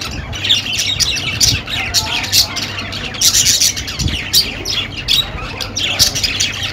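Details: Budgerigar chatter: a dense, continuous stream of high, buzzy warbling chirps and squawky notes tumbling over one another without pause, loud and busy throughout.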